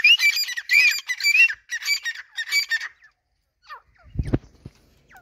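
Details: Grey francolin, desi teetar, two males and two females calling on seeing one another; a fast series of loud, high, ringing squeaky notes for about three seconds, then quiet with a few faint chirps and a low thump.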